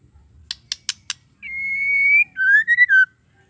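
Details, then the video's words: Four sharp clicks, then one call from a female White-rumped shama meant to set males singing: a sustained steady whistle leading into a pulsed, rising whistle that drops at the close. "PANCINGAN MURAI BETINA GACOR PALING AMPUH TERCEPAT BIKIN EMOSI MURAI"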